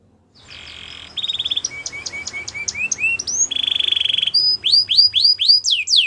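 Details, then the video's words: Belgian canary training song: a faint buzz, then rapid rising notes repeated several times a second, a steady pure trill, and a closing run of loud sweeping upward slurs. "Canary Training Song Video | Belgian Canary Singing"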